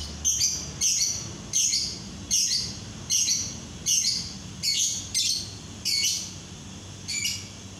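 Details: Lovebird chatter used as a lure to make other lovebirds sing: a run of short, sharp, high scratchy bursts repeated roughly every 0.7 seconds, with a low hum underneath.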